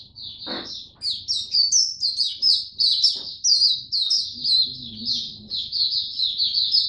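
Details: White-eye bird kept for its song, on a supplement trial dated 3 November 2022: an unbroken stream of bright, high chirps and warbled trills, rapid and slightly varied, with a couple of brief knocks and a low hum beneath.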